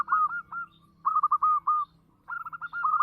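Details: Perkutut lokal, a local zebra dove, singing loudly: three quick phrases of clipped, hooked coos, two or three notes, then four, then a dense trilled run, over a faint steady low hum.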